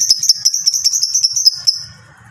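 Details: Lovebird kept by hobbyists, singing a long ngekek trill: a fast, even run of shrill, high notes for under two seconds, then it stops and only a faint hum remains.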